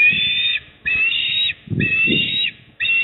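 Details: At a Port Lincoln nest in South Australia, an eastern osprey gives sustained piping whistles, each about half a second, repeated roughly once a second, with low rumbling noise beneath, evening of 28 October 2024.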